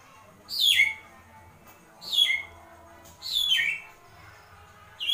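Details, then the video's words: White-rumped shama in an agitated kretekan bout, repeating a harsh, steeply falling high note roughly every one and a half seconds, four times, with near silence between them. "Kretekan Murai Batu Emosi"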